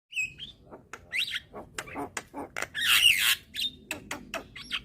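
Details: Young white-eyed Javan myna calling diligently while bobbing its head, used to lure hybrid mynas into calling: harsh buzzy squawks mixed with short rising whistles and a loud rasping burst in the middle.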